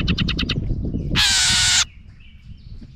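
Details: A house wren, agitated by a camera set near its nest, gives four quick dry ticks, then one long harsh buzzing rasp lasting over half a second. Low background rumble follows.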